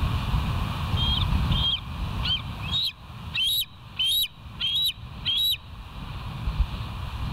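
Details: West End bald eagle on a live camera, morning of 29 September 2023, 07:05; a chattering series of about eight high, thin piping notes, each briefly rising, repeated roughly every half second, with low rumble beneath.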